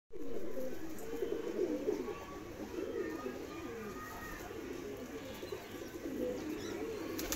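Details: Madrasi pigeon, a domestic pigeon breed, cooing: low, throaty rolling coos repeated in quick succession through the whole stretch, with faint room noise behind.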